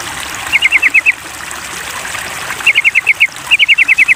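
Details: Sooty-headed bulbul in a lure recording meant to coax it into singing: three quick runs of short, sharp repeated notes, six to eight each, against constant running water.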